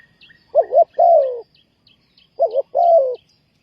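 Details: Decoy dove luring wild doves for trapping: a quick double coo then a long sliding coo, given twice, with faint high chirps of other birds behind.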